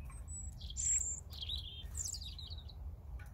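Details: European robin giving a short rich phrase: a very high thin whistle, then descending and wavering warbled notes, ending in a softer twitter, over low steady noise.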